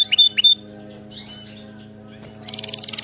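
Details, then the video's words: Canary song played to train other pet canaries to sing: a few bright whistled notes near the start, a quiet gap, then a fast, high, even trill building at the end. "صوت كناري مذهل لتدريب وجعل طائرك الكناري يغرد بلا توقف canary singing training bird"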